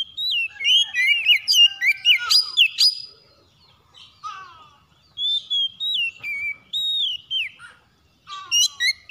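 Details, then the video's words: Oriental magpie-robin in the morning, a bird kept to sing vigorously, with loud whistled phrases that rise and fall, some with sharp slurred notes and buzzy harmonics, delivered in quick bursts with a short quiet pause mid-way. "PANGGILAN KACER PAGI HARI"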